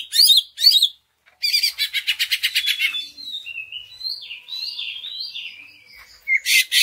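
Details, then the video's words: Greater green leafbird lure song meant to stir other leafbirds to sing: bursts of harsh high notes, a quick series of rapid clicking chips, then drawn-out whistled slurs ending in another harsh burst. "Pancingan Cucak Ijo Sangat Ampuh Untuk Menaikan Mental Ijo Lain Agar Mau Jamtrok Bongkar Isian"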